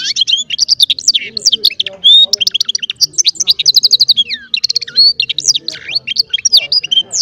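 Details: Small baster, a goldfinch hybrid, singing goldfinch-style song: a fast, varied stream of high twittering notes, sweeping slurs and brief trills that rarely pause.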